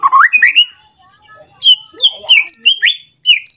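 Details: White-rumped shama provoked by a rival: rising whistled notes, a pause, then sharp high phrases with slurred whistles repeated in quick succession.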